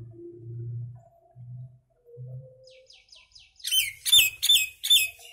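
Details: Common myna song: soft low notes and a few thin whistles build into a run of four loud, harsh, gurgling bursts repeated roughly every third of a second near the end.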